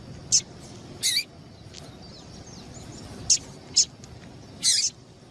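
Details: Calls of a female Double-collared seedeater, used to stimulate males to sing: five short, high, clipped chips spaced irregularly a second or so apart against a soft hiss.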